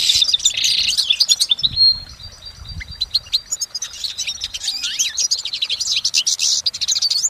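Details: Goldfinch singing in nature, a continuous bright song. Rapid tinkling twitter and a thin sustained buzz at first, then a softer passage of sparse chirps, building again into fast high twittering.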